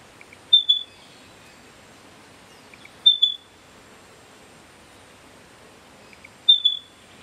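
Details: A Spotted pardalote sings in a backyard in September 2022, giving soft, high, clear whistled phrases, each led by a faint lower note, repeated about every three seconds against a quiet background.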